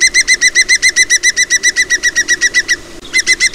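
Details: A Green Woodpecker in the UK countryside gives its loud, ringing, laughing yaffle: a fast run of about four bright notes per second, a short break, then the series resumes.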